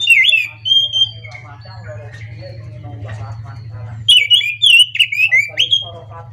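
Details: Morning song of an anis macan, or scaly thrush, in continuous ngerol style: sharp whistled slurs and level notes, a softer warbled middle passage, then a burst of loud rising and falling whistles over a steady low hum.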